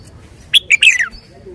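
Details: Red-whiskered bulbul with a clear, emphatic song phrase: a high chip, a short note, then a bubbling whistle dropping at its close. Quiet hum behind.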